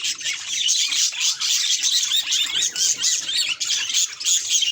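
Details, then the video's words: Budgerigar chattering at a mirror, a dense stream of high squeaks, chirps and rasping warble notes with brief breaks. "Budgie Mirror Reactions"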